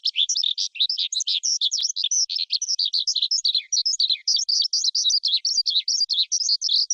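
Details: Skylark, a Vietnamese cage-bird favourite, singing a rapid, jumbled, high chattering warble of tightly packed notes that runs without a break.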